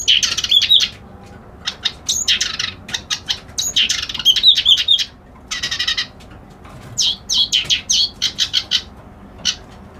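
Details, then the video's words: Reed warbler, locally called kerak basi alis putih, singing a harsh, chattering song of dense buzzy bursts and scratchy notes, broken by short pauses and a few thin whistled slurs; no other sounds stand out. "Suara Burung Kerak Basi Alis Putih"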